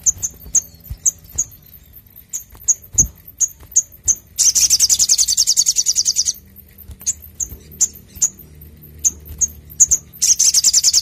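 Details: Brown-throated sunbird (sogok ontong) singing a clear, vigorous song used to lure and train other birds: very high thin chips repeated about every half second, broken by a fast buzzy trill about two seconds long, then more chips and another trill.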